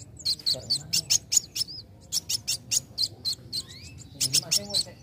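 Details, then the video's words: A young sunbird sings to provoke other birds into song; high clipped chips come in three rapid bursts, broken by thin, rising whistled slurs. "Pancing Bunyi Kowul Muda Gacor"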